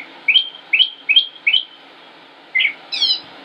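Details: Northern mockingbird, a male singing near Concord, North Carolina, 25 May 2016: four matching upslurred whistled notes, a gap, then a lower chirp and a higher layered note.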